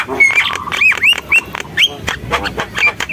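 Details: Javan myna singing a varied string of upward-sweeping whistles interspersed with rough chattering notes at an uneven, quick pace.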